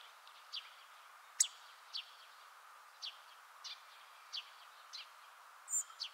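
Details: Hawfinch giving its call; short sharp high ticks repeated roughly every half second to second, evenly spaced, one louder snap among them, against a quiet background.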